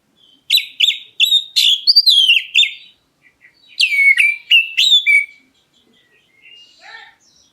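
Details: Oriental magpie-robin of the black-breasted form calling so that other birds answer: two quick bursts of bright, rich whistles with sharp downslurred and rising notes, then softer, scratchy twittering fading at the end.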